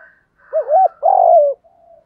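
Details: Spotted dove with male and female birds, a 'thúc gù' cooing style used to stimulate other doves to coo: a wavering double-hump note, then a long, slightly falling coo around mid pitch, with a faint higher tone before.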